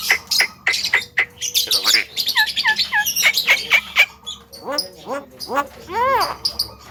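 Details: Javan myna producing mixed mimicry: sharp clicks, short upward-hooked whistles repeated in a series, chatter, and arched harmonic squawk-like notes toward the end, with a person talking to the bird.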